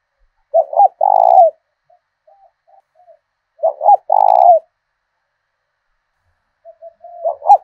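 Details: Decoy spotted dove singing in the southern Vietnamese 'thổ đồng' voice, used to provoke fights and train lure birds. Loud phrases of two quick stuttered notes and a long hoarse coo repeat about every three seconds, with soft murmurs between.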